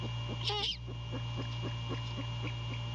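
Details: Great horned owls at the nest in the small hours of a January 2022 night during courtship: one sharp rising squeal followed by a series of faint, evenly spaced soft notes over steady hum.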